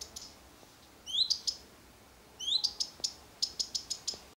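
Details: Bird calling from a tree: short, high, clear notes, some sweeping upward, given in small clusters separated by pauses, with a quick run of repeated sharp chips near the end over quiet background.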